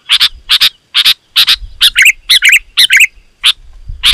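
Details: Loud, dense sooty-headed bulbul song for luring wild birds: paired sharp chirps alternating with quick bubbling warbled phrases, about two notes per second.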